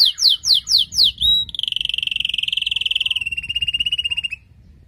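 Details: Calling to prepare the male after the moult, a female canary gives five slurred descending notes, then a long, dense, buzzy trill held at one pitch before fading out.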